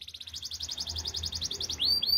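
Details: Canary song used for training: a fast, even trill of high notes, about twenty per second, ending in two rising whistled slurs, over a low steady hum.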